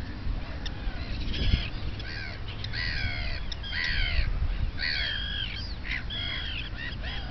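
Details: Common terns feeding small young at a seabird colony on Hayling Island Oysterbeds, 9 June 2010: several birds giving harsh, grating, drawn-out calls, overlapping and repeated, over a steady low rumble of wind.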